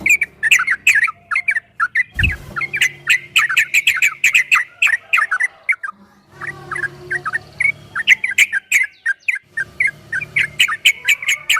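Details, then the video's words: Long ropel song from a yellow-vented bulbul: dense, rapid chattering phrases of slurred, bubbling notes broken by brief gaps, one loud thud early on and a faint hum beneath. "Suara burung trucukan MASTERAN TRUCUK ROPEL"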